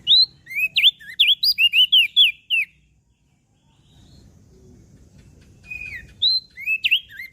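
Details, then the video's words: Mountain leaf warbler song for tutoring small birds: a lively two-and-a-half-second burst of many high, rising and falling slurred whistles, a pause with faint low noise, then another rapid series of similar notes. "Opior Jambul Gacor Siang Malam"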